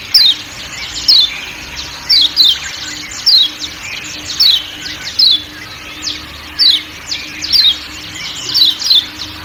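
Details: Kecial kuning, a Lombok white-eye, giving sharp descending 'ciak ciak' chirps, often in close pairs, about every second, over a steady low forest hum.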